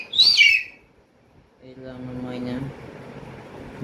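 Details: Pet myna gives a brief, high, shrill whistle that drops in pitch, then after a short pause a lower, nasal, voice-like drawn-out sound.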